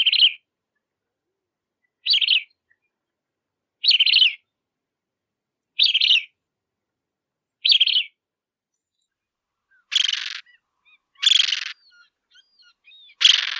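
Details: Bridled tern calling with a steady run of five short, nasal, grating notes about two seconds apart, then louder, broader rasping calls mixed with faint squeaky chirps.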